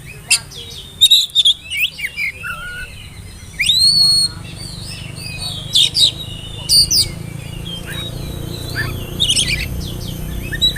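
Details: Oriental magpie-robin, spotted young bird, whistling to lure young birds into singing. Clear high whistles, some slurred upward, mix with quick chirps and short rattles in irregular phrases over a continuous low hum.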